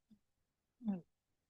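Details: An owl, a species with a large head, no ear tufts and yellow eyes that overwinters on its territory, gives a single deep, short territorial hoot preceded by a faint low note, in an otherwise quiet setting.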